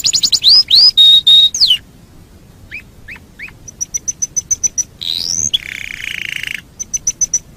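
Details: Canary song used as a master recording for training other birds: rising whistled slurs, a steady held whistle, short chip notes, then rapid high ticking series and a buzzy trill, all high-pitched and clear.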